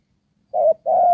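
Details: Single low coo phrase from a spotted dove used as a trapping decoy, Đồng Pha style: a brief mellow note, a tiny pause, then a longer sustained hollow coo.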